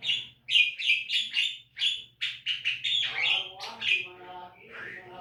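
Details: Javan myna song used as training material so caged birds sing often: rapid chirpy whistled notes repeated about four per second, turning into a rough nasal, harmonic-rich rattle at the end; faint steady hum behind.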